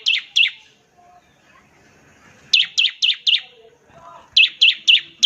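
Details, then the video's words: Bar-winged prinia (ciblek) in ngebren song, used to coax other prinias into singing: short runs of two, four and four sharp high chirps separated by quiet pauses, with faint background sounds. "NEMBAK NGEBREN untuk pancingan ciblek semi agar cepat bunyi"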